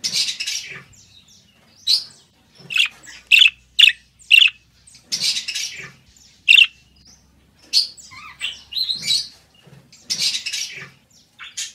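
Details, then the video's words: Lively budgerigar warble of rapid high chirps, squeaks and raspy buzzes, coming in clusters over nearly twelve seconds. "Canto Perfeito para Deixar seu Periquito Australiano Manso"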